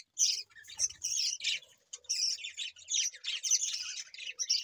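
Budgerigars chatter in a rapid stream of scratchy, warbling chirps and squawks.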